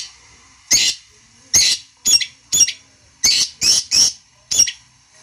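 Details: Long-tailed shrike song played to provoke a rival into answering: eight harsh, raspy, broadband bursts, some single and some in quick pairs, spaced irregularly over five seconds against near silence.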